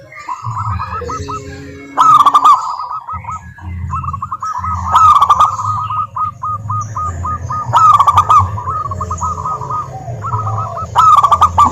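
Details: Local zebra dove (perkutut lokal) song played as a lure for silent doves: strings of short clipped coo notes and rolling ringing phrases repeated every few seconds, with sharp clicks and low background hum.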